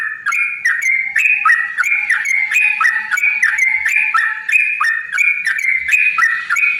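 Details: Yellow-vented bulbul singing a steady, continuous stream of mellow, warbled whistles, each note bending up and down, about three a second; played as a lure to provoke other bulbuls into singing.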